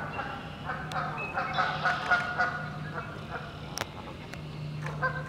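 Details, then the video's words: A Pied-billed Grebe in Southern Ontario, heard early in the morning, calls to another with a rapid run of hollow, nasal, honking notes, several each second, over a steady low hum. "Pied-billed Grebe singing"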